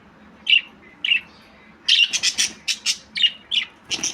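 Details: Budgerigar, a small parrot, giving bright chirps and short squawky notes, a few spaced notes then a quicker burst of harsh chattering syllables over a quiet background.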